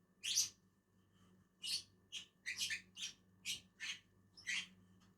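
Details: Two Agapornis lovebirds eating on a tree; one loud harsh shriek opens, then a string of short rasping high squawks at irregular intervals.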